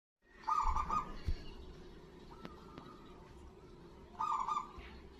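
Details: Loud-voiced local zebra dove, calling actively, used as a lure to prompt other doves to answer. Two bursts of rapid, stuttering coos run about half a second each, separated by quieter background murmur and faint clicks.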